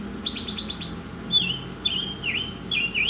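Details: A quick buzzy rattle of about six pulses opens, then the Oriental magpie-robin gives sweet whistled notes that dip and rise, in a masteran song.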